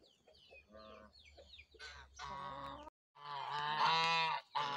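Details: Geese honking: soft nasal calls and a few squeaky notes at first, then loud, harsh, overlapping honks building into a sustained noisy chorus, briefly cut off before resuming.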